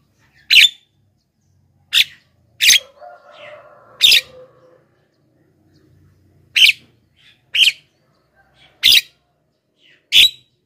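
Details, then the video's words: Black-winged myna singing nonstop, used as a lure for wild birds and to start caged birds singing. About eight loud rasping bursts come at uneven intervals. A brief burst of lower chattering notes sounds early on. "masteran JALAK KEBO super gacor,pancingan untuk bahan dan jalak yg malas bunyi"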